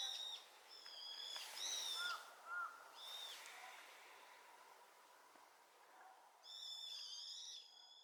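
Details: Brown-eared bulbul calling back to its flock's chorus: sharp squealing whistles and harsh screechy bursts, a pause of quieter distant notes, then a final long grating outburst.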